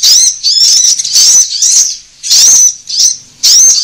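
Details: Sunbird calls played as a lure to draw birds in; piercing high twittered phrases come in separate bursts with clear silences between, roughly one burst per second.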